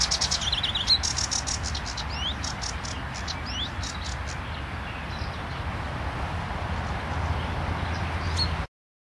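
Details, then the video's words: A sedge warbler chatters in quick, scratchy, varied bursts with brief trills, loudest early on, over a steady low rumble of wind or distant traffic. "Sedge Warbler"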